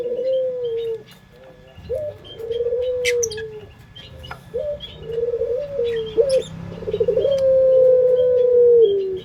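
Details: Puter pelung dove from Indonesia giving its prized lure song: a series of long, low, sustained coos, each with a brief rising start and a flat held tone, about four in a row, with faint bird chirps behind.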